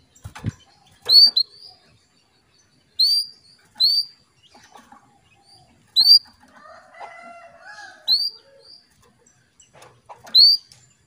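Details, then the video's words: Calling female canary, used to lure a male into breeding condition; a series of sharp upswept whistled notes repeats at irregular intervals, with a brief soft warble in the middle. "PANCINGAN KENARI BETINA MEMANGGIL JANTAN"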